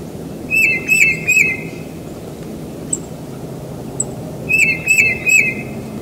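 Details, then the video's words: Tufted titmouse singing in spring near a house: two bouts of three clear, whistled, down-slurred notes in quick succession, separated by a pause of about two seconds, with a few faint high ticks between and a soft low outdoor rumble. "Tufted Titmouse Singing"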